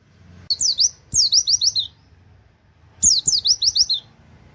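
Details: Oriental white-eye (pleci) giving short 'wit wit' phrases used for training songbirds: three tight clusters of four to six high, sliding whistled notes, each phrase under a second, with clear pauses between.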